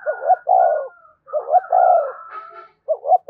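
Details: Spotted dove's provoking, summoning call aimed at other doves. Closely repeated hoarse coos with long rolling middle notes follow each other almost without pause, over a thin, steady whistle-like tone.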